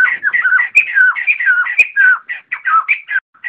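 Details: Flock-gathering call of a white-crested laughingthrush: rapid, jumbled babbling of short, loud whistled and chattering notes, roughly two per second, with two sharp clicks early on. The recording is clean, with no background noise.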